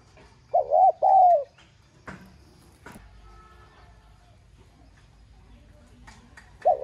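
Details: Spotted dove urging call in 'giọng son' style to get caged doves cooing; a single phrase of short notes and a long coo, followed by scattered clicks and knocks, and another coo starting at the end.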